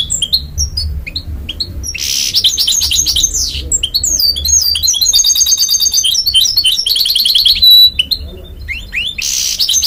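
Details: Hybrid goldfinch-canary mule delivering a lively, varied song: scattered sharp chirps, then buzzy rasping bursts, even rattling trills and sweeping slurred notes, with a low background hum throughout.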